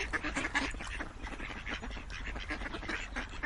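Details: Ducks on a farm: a flock quacking continuously, overlapping harsh nasal quacks repeated several times a second with no pause, busy throughout.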